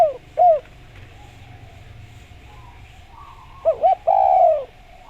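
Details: Spotted dove song used as a lure to draw answers from other doves: a short, rising-falling coo opens, then quiet, then two quick notes lead into a longer, drawn-out coo near the end.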